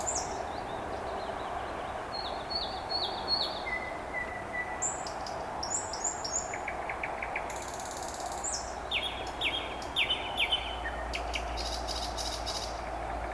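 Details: Late-May evening in Vyazniki with a common nightingale singing: spaced whistled notes, a long level whistle, rapid rattling trills and repeated high chips, over steady low background noise.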